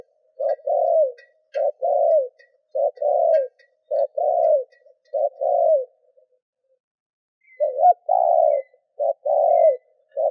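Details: Spotted dove decoy bird cooing to provoke and lure wild doves: low, hollow two-part coos, a short note then a longer falling one, repeated in a steady series, with a pause mid-way and faint clicks in the background.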